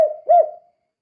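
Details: Spotted dove in lively 'kuk 2' style calling, used to lure other doves: the fading end of one low coo followed by a single short, rounded coo, then silence.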